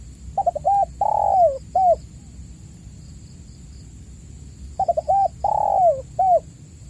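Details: Spotted dove coo used as a lure call to prompt silent caged doves to sing; two identical phrases of short stuttering notes, a long falling coo and a final note, separated by about three seconds of quiet hiss.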